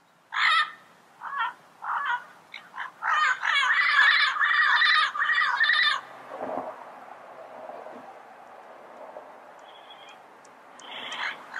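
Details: Yellow-headed parrot giving harsh, harmonic squawks, short bursts then a run of longer grating calls over the first six seconds, followed by quieter scattered notes and a faint final squawk.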